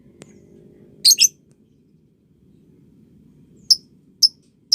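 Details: Calls of a lovebird for training juveniles: a sharp click, then a rasping double squawk, followed by three thin piercing chirps spaced about half a second apart, low hum beneath.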